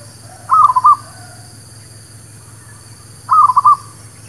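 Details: ['Zebra dove (perkutut lokal) song meant to attract birds to a trap: two quick, bouncing cooing phrases of four notes, spaced nearly three seconds apart, over a constant low hum.']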